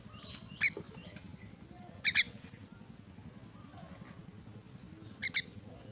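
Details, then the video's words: Orphaned and crippled myna during feeding, uttering sparse, scratchy squawks, mostly in close pairs, separated by quiet pauses of over a second over a steady low hum. "Feeding orphaned and crippled myna"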